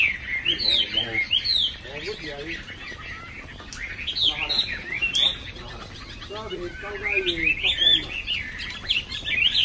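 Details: Caged Chinese hwamei singing in bursts of rich, looping whistles that rise and fall, separated by quieter stretches with some lower clicks and background noise.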